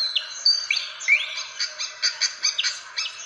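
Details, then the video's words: Indonesian fantail lure call: a few thin rising whistles followed by a rhythmic series of short buzzy chips, about four per second. "SUARA PIKAT BURUNG KIPASAN SIKATAN"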